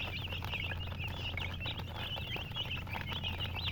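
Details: Many chicks peeping together, a dense overlapping chorus of short high chirps and downward-sliding peeps, with steady low hum beneath.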